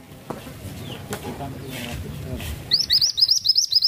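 A small songbird gives a fast run of thin, high chirps, about four or five a second, after nearly three seconds of low rustling and background noise.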